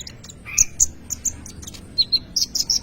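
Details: Sunbird, the Indonesian kolibri ninja, singing in lively gacor style as a lure or tutor for young birds: sharp, high chirps and short whistled notes scattered through the clip, some sliding, with a faint background hiss.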